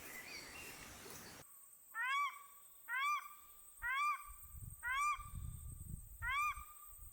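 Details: Paradise shelducks with newly hatched ducklings on their first afternoon on a lake in the Maungakotukutuku Valley, New Zealand; after a second of hiss, five short rising nasal calls follow, about one each second, over quiet background.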